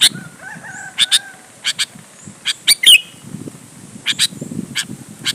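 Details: Sooty-headed bulbul singing to provoke rival bulbuls into answering: clipped high chirps and a sharp descending slurred note in scattered bursts, with a faint low rumble beneath.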